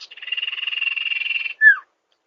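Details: Sirtu, from a master track used to lure birds in rice fields: a rapid, buzzy, pulsing trill of about 1.5 seconds, ending in a crisp descending note.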